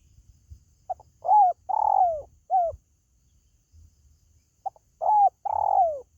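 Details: Spotted dove, used to lure pet birds at home: two phrases, each a short low note, a mellow falling coo, a longer rolling coo sliding downward, then a brief closing coo, separated by a pause.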